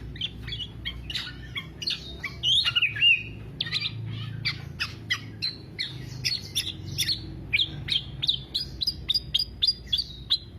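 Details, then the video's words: Kepodang (Black-naped oriole) in a long 'teler' style singing bout, meant as a lure or master recording for keepers; dense chatter of squawks, chips and short whistles that grows faster and denser toward the end. "Kepodang Podang kicau sampe telerrr"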